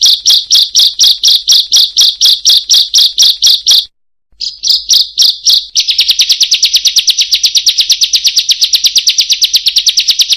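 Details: Bar-winged prinia (ciblek) giving a kriek-kriek-kriek call: harsh rasping notes repeated about three per second, a short break, then a faster continuous run of buzzy notes, loud and slightly distorted.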